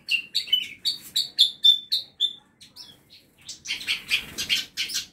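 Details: Several caged birds kept as song-tutor (masteran) birds in a small home aviary: a quick series of bright, high chirps and short whistled notes, a brief pause, then a burst of harsher, noisier chatter with wing flapping.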